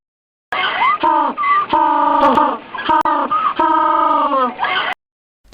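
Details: Penguin calling in a series of loud, harmonic, braying notes that waver and slide in pitch, with short gaps and several sharp clicks between phrases.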